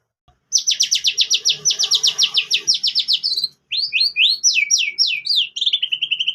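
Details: Lure song of a white-rumped shama with canary-style fill-in phrases: a rapid, even trill of bright high notes for about three seconds, a brief pause, then loud sweeping slurred whistles closing in a quick lower trill.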